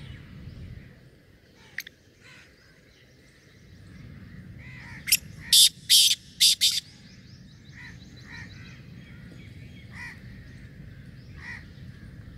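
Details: Pure Chinga-breed black francolin, a hunting decoy bird with a hunting voice, gives a burst of loud, harsh, grating notes, then softer repeated calls.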